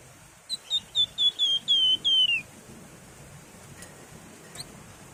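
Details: Song of the Javan fulvetta, locally wergan jawa or flamboyan, sung in the nyiul, nyuling and ngebren styles: seven pure whistled notes that lengthen and swell, slowly lowering, the last sliding down, then two faint chips after a pause.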